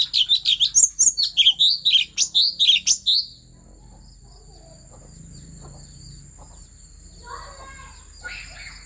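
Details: Asian fairy-bluebird, Central Highlands forest, Vietnam, singing to fire up other birds: three seconds of loud, rapid, high chirped notes, then near quiet with a few faint distant calls.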